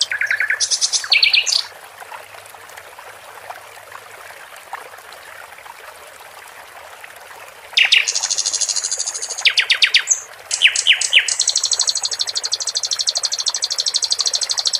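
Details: Caged flycatcher known locally as sikatan londo: short bursts of high whistles and chattering trills separated by a long quiet stretch where only trickling water is heard, then renewed rapid buzzy phrases.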